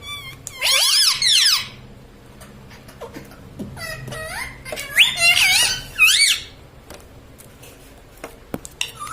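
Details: Talking pet parrot kept indoors, said to speak mummy, papa and mitthu; a shrill, bending squeal opens, then a quiet gap, then several short nasal, wavering syllables in a row, with a faint low hum behind.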